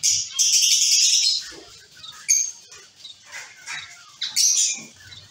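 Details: Caged zebra finch colony calling: a dense burst of high, bright chirps in the first second, then scattered single notes and a second loud cluster near the end, with quieter gaps between.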